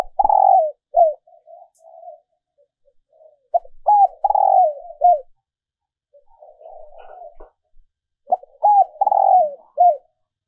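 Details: A female dove gives low, soft cooing phrases of several rolling notes, about every four seconds, recorded for use as a lure to stimulate males.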